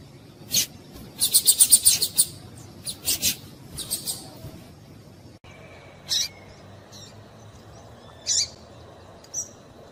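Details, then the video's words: A female Double-collared Seedeater gives very high, thin chips, first a quick burst of about ten notes, then single notes spaced a few seconds apart; the female call is used to stimulate males to sing. "Piado de Fêmea de Papa capim"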